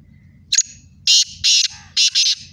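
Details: Black francolin, one of two Sindhi birds in a calling contest: a brief high note, then four loud, harsh, grating notes in a quick rhythmic phrase, over a low steady pulsing hum.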